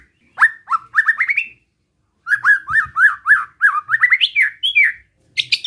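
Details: White-rumped shama giving relaxed besetan song meant to provoke rival shamas, with rapid strings of sharp upward-sweeping whistled notes in two bursts separated by a short pause, each note followed by faint high clicks.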